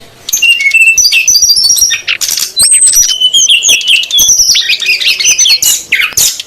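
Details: Female and male SRDC birds calling noisily, a lure recording meant to draw wild SRDC birds; dense high whistles, sharp chirps and rapid chattering notes overlap almost without pause, with a brief lull near two seconds.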